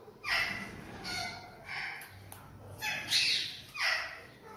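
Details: Sulphur-crested cockatoo, apparently a caged pet, making a string of harsh, hoarse calls of varying length, five or six rasping bursts with short gaps, over low indoor background hum.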